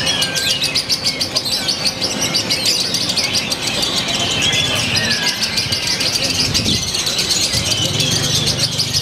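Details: Lovebird from Purwakarta city, Indonesia, showing off a fresh, unusual style and compact pauses; continuous high chattering trills with a few slurred whistles, plus low thumps and background noise near the end.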